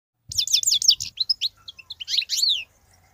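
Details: Wild European goldfinch singing continuously: a fast run of high, sharp twittering notes with buzzy, liquid trills and quick rising and falling slurs for about two and a half seconds.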